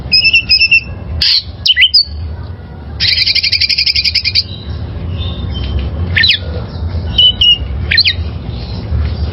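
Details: Oriental magpie-robin, a wild-caught bird, singing to train caged birds: paired whistled notes, a fast rattling trill lasting over a second, then sharp rising and falling whistles, over faint low hum.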